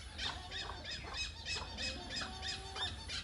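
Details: Hornbill giving rapid, harsh squealing notes, roughly three per second, over a low steady hum and background hiss.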